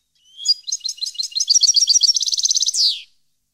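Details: European goldfinch of the subspecies parva, recorded in 2015, singing one bright, high phrase: tinkling notes that speed into a fast, even trill and end in a falling buzzy slur. No other sounds.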